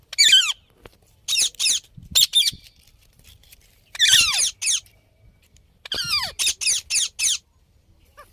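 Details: Parrot giving harsh, raspy squawks in groups of two to four, several ending in a downward-sweeping tail, with short silences between bursts.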